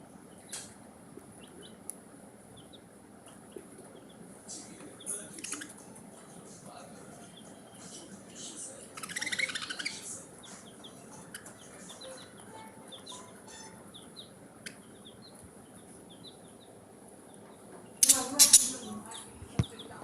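Budgerigars chirp softly in quick, scattered bursts, with a loud rustling thump near the end.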